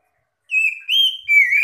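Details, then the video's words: Oriental magpie-robin answering other magpie-robins, a call meant to draw other birds into singing: clear whistled notes, a level tone, then a slightly higher one, then a slurred phrase rising at the end, no other sounds. "banyak Kacer yg langsung gacor"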